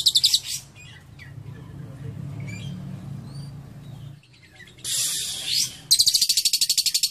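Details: A caged lovebird's cililin-fill song: a brief high rattling trill, then a quiet stretch with faint thin chirps, then a loud harsh burst and a renewed fast buzzy trill.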